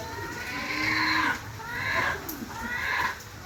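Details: Red junglefowl from Java giving three drawn-out harmonic calls at about one-second intervals, quieter and slightly uneven, over a hissing background.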